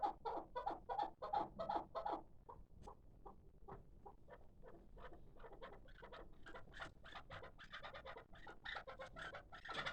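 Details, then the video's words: Six-month-old hybrid partridge chick, a kabk kept for calling, gives a fast run of short chucking notes, loud and dense at first, then softer, sparser clucks with some brighter notes near the end. "Кабки Гибрид"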